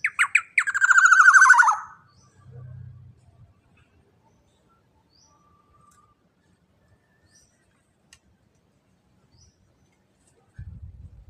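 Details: Black-naped oriole, a large-bodied bird with a loud voice, used as a lure and training song: a short loud burst of harsh notes and a fast rattling phrase, followed by long silence.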